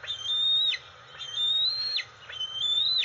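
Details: Twelve-week-old female bald eagle fledgling at early morning dawn, June 25, 2020, perched in the attic near her nest and begging for her mother with long, piercing whistled whines, each rising slightly then sliding steeply down, repeated roughly every second.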